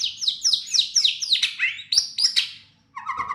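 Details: White-rumped shama (murai batu) answering a lure recording: rapid series of descending sweeping whistles repeated several times per second, then a brief pause and a lower, steadier warbled phrase.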